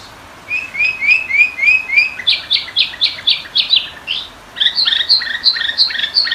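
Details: Sooty-headed bulbul training and lure song: a series of brief rising whistles leads into a rapid run of clipped, bright chirps, a short gap, then another quick chattering burst of paired notes.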